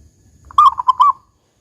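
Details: Local zebra dove singing in the big 'kung' style: one short phrase of about four quick, mellow rolling coo notes run together, lasting around half a second, then silence.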